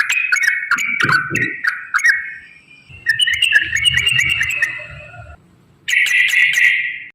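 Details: Yellow-vented bulbul song meant to goad other bulbuls into answering: bright slurred whistles falling in pitch, then a sustained warbling phrase, a pause, and a burst of rich gurgling notes, with low rumbling noise beneath.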